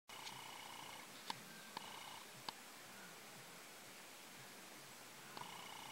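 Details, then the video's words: White-fronted woodpecker (Melanerpes cactorum) at Parque San Martín, La Picada, Paraná, Entre Ríos, in July 2022: nasal, buzzy calls in short bursts, with three sharp knocks in between against a steady background hiss. "Carpintero del cardón, melanerpes cactorum"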